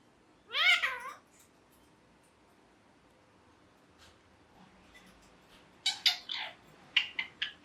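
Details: Pet ringneck parrot making its talking sounds: one wavering, voice-like burst, a long quiet stretch, then a cluster of bright chirps and short squawks near the end.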